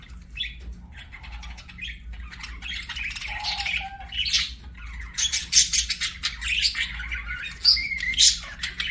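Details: Pet budgies chirp and warble, starting with sparse notes and building into dense, rapid, high twittering chatter, with a faint low hum behind.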